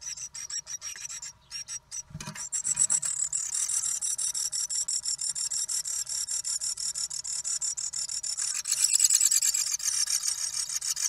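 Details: A courting pair of small birds nesting in a nest box, the female building her second nest, chirp back and forth in high, scratchy, buzzy notes, about three a second, growing louder; brief low bump early, one shuffles.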